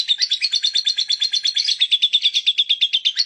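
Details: Lovebird chattering without a break, a brisk, regular train of raspy high notes, roughly three per second, steady in loudness throughout.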